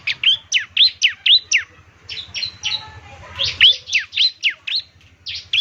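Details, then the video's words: Bar-winged Prinia of the 'semi' type singing vigorously ('gacor'), played each morning so other birds reply: sharp high downslurred notes at about four per second, a brief softer pause, then the fast series resumes. "ciblek semi gacor, putar tiap PAGI agar ciblek semi ikut nyaut bunyi GACOR"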